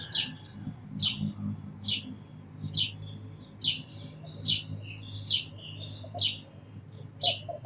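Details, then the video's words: A sparrow gives steady bright chirps, each a quick descending note, about one per second, over a low rumbling background. "Very Beautiful Birds & Sparrows Sounds"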